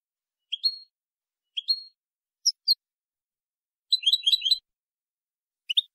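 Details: European goldfinch in the clean 'limpio' song style, 2020: scattered single high chirps with pauses between them, then a short, tangled burst of rapid twittering, and a final chirp.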